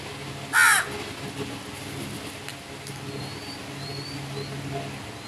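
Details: Crow giving one loud, harsh, raspy caw early on, followed by quiet background with faint thin whistles from other birds.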